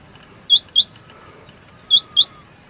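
Rain quail giving sharp, high, metallic double notes, two quick pairs about one and a half seconds apart, over a faint steady background hum.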